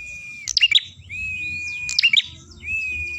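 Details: Ashy tailorbird singing for use as bird-luring audio: held, even whistles broken twice by quick, shrill chirp bursts, with soft low rumble underneath.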